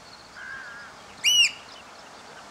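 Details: Piping of Eurasian oystercatchers after rain, taken hand-held from a hide with a Panasonic SDR-S26: a faint thin whistle, then one loud, sharp, ringing arched note, with a second starting at the very end.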